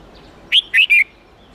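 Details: Red-whiskered bulbul in the 8-9-10 note song taught to young birds. Three loud, clear whistled notes come in quick succession, the last one sliding gently downward, against a quiet background.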